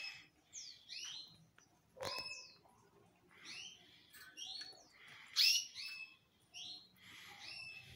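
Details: Male canary singing a scattered run of short rising and falling whistled notes and quick chirps, with one sharp loud note near the end, over a faint background hiss.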